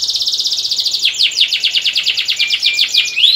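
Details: Breeding-stimulation song of a domestic canary: a fast buzzy trill gives way to a series of sharp downslurred notes about five per second, ending in a thin rising whistle.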